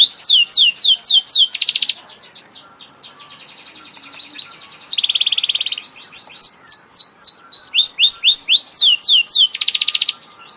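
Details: Canary in full song: rapid sweeping notes, short buzzy rolls, and quick trills alternating over ten seconds, with a brief softer passage in the middle.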